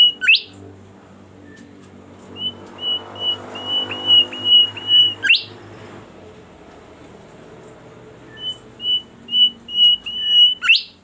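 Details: Bimoli bird singing busily and sweetly: runs of rapid, evenly spaced high whistled notes, each run closing with an abrupt upward sweep, separated by quieter pauses with faint low background noise.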